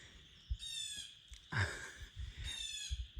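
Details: In spring woods along the Manistee River on the North Country Trail near Mesick, northern Michigan, a Blue Jay gives two harsh, buzzy jay calls about two seconds apart, over a thin high chorus of peepers, with footsteps and rustling nearby.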